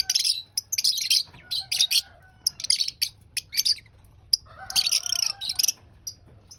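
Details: Lovebird eating breakfast: sharp, shrill chirps in rapid bursts, repeated several times with short gaps, and a longer chattering run near the end.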